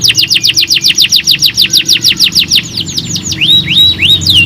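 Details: Canary singing to prompt other canaries: very rapid, steady run of downswept whistled notes, then a few longer rising-and-falling whistles at the end.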